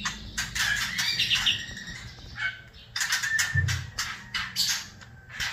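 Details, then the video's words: White-rumped shama in kretekan style, a busy chattering song: irregular bursts of high, scratchy notes separated by short pauses, with a faint low hum in the background. "kretekan Murai Batu seri F trotol bikin Ribut suasana"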